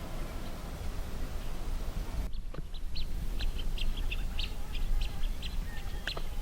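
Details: Blue-winged teals in a flock on a lily-covered lake. After a brief dip in the background, clipped high chirps follow one another at short, uneven intervals against a constant low-frequency hum.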